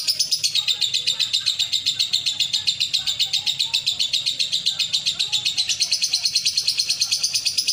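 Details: Contest lovebird, caged, competing at Betung Banyuasin near Palembang and winning first class, delivers a long, unbroken, rapid chattering trill, high-pitched and evenly pulsed throughout, over faint background chatter of people.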